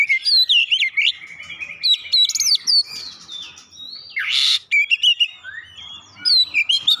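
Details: Song of an oriental magpie-robin carrying gelatik batu (cinereous tit) imitations: lively chirps and whistled slurs in rapid runs, one long grating buzz, then more bright whistles.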